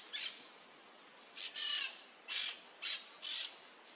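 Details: Peach-fronted parakeet perched on top of a tree in Brazil, giving five harsh, scratchy screeches, each under half a second, spaced irregularly over four seconds against a faint hiss.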